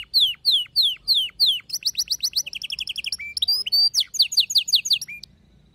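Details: Domestic canary, with a female calling for mating while a male sings, gives evenly spaced descending chirps, then fast trilled notes and varied high whistles, in a quiet setting.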